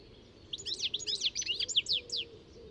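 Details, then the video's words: A European goldfinch sings a quick, tinkling run of bright twittering notes and slurred chirps, high-pitched and lively, over a faint low background hum. "Chardonneret élégant"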